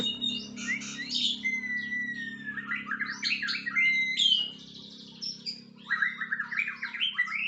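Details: White-rumped shama after moulting, singing a rich, varied run of clear whistles, rapid buzzy trills and chattering phrases that shift in pitch, with a steady low hum beneath.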